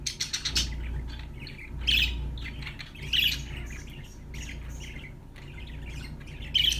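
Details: Pet budgies chirping, a parakeet chatter of short scratchy squawks and twittering notes in loose irregular bursts, with a steady low hum running underneath.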